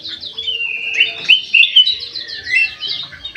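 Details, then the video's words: Aviary bulbul singing eagerly: a lively run of sweet whistled notes and rapid chirps, loudest in the middle, with quieter twittering towards the end. "KUTILANG EMAS MATA PUTIH SUPER GACOR"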